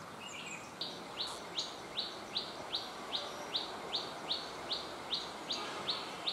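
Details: Cit kemade bird active in the wild in its natural habitat, giving a steady series of short, sharp chip notes that rise slightly, about two and a half per second, over a soft hiss of background noise.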